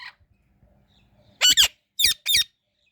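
An Indian ringneck parrot gives four loud, harsh, high-pitched squawks in quick pairs over about a second, with a quiet background.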